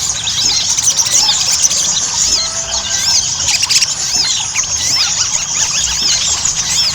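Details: Ruby-cheeked sunbird song used as a lure therapy to get birds singing: shrill, squeaky, arching notes poured out in a dense jumble, with a few brief sharp clicks mixed in.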